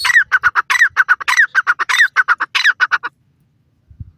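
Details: Francolin calling in a fast, harsh, squawking series of clipped notes with recurring rising accented notes, stopping after about three seconds and followed by quiet.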